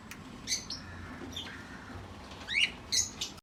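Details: Cockatiel making scattered short chirps and one louder harsh squawk with a falling sweep, then a final bright chirp, separated by quiet gaps with low background rumble.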